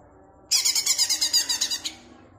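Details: A kept greater green leafbird (cucak ijo) from Jatirejo, Ampelgading, Pemalang, played to provoke other leafbirds into agitation, gives a fast, harsh, high-pitched chattering burst of about twelve rapid notes over just over a second, in a quiet room.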